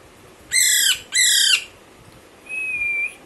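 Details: Young Alexandrine parakeet kept at home: two loud, harsh, rasping squawks in quick succession, followed by a thin level whistle, while a person speaks to it.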